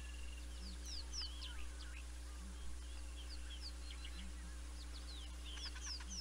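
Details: A pair of Southern ground hornbills at Naledi Cat-EYE, 19 December 2021, giving low, soft booming notes at steady intervals of about two seconds, under a steady electrical hum with many small birds chirping and trilling higher up.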